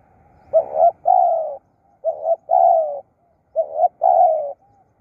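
A spotted dove gives low, soft coos in three phrases about 1.5 seconds apart. Each phrase is a short double note followed by a longer, slightly falling coo.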